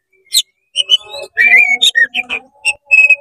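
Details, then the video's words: Oriental magpie-robin in 'konslet' style song, meant to provoke rival magpie-robins: sweet slurred whistles, a buzzy rasp and a clear sustained high whistle, over low steady tones. "CEPAT GACOR BUKA EKOR DONGKRAK EMOSI KACER KONSLET BIKIN KACER LAIN PANAS"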